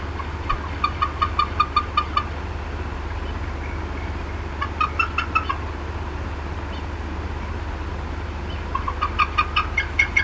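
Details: Female bald eagle at the Decorah North nest, 18 April 2016, 4:23 PM CDT, upset and clucking. Three bursts of short, sharp harmonic notes repeated rapidly, about six per second, separated by pauses, over a steady low hum.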